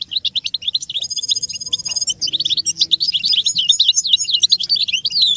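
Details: American goldfinch song used as a training recording for teaching young birds: dense, rapid twittering with buzzy trills and sweet whistled notes, a steady ringing trill near the one-second mark, chattering continuously throughout.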